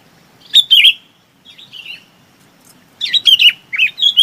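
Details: Chinese babax calling the flock: bright, slurred whistled notes near the upper-middle range, given in two bursts of two to five notes, with a fainter softer phrase between them.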